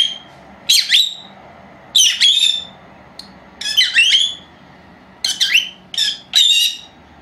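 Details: Napping pair of female pet lovebirds, four months old, taped indoors on an old camera set to record alone; scattered strident squeaky calls, some stuttered in twos and threes, separated by quiet gaps.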